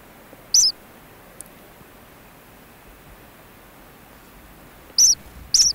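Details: Ancient Murrelet chicks in a burrow on Frederick Island give a few thin, high cheeps, one early and a quick pair near the end, becoming more animated, over a quiet background hiss.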